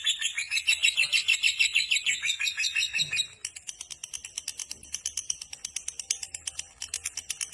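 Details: Fighter lovebird in a long ngekek: a loud, shrill, buzzing trill of fast notes, which drops after three seconds to softer, sharper ticking pulses repeated several times a second.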